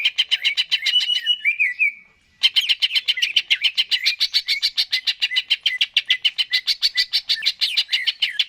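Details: Greater green leafbird singing gacor, continuous lure song to stimulate birds. Warbled whistles, a brief silence, then a long, steady stream of rapid high chips at about three to four per second.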